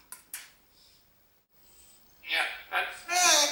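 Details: A talking parrot, back indoors after a spray shower and sunshine outside, chatters nonstop: three loud, raspy, speech-like syllables in quick succession after two sharp dish-like clinks and a quiet pause.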